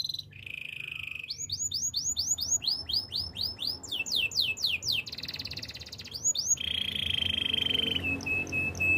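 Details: Canary song used for training other canaries: a long, steady high note, then rapid rolling trills of repeated upward-sweeping notes, and another sustained tone near the end. A low hum runs underneath throughout.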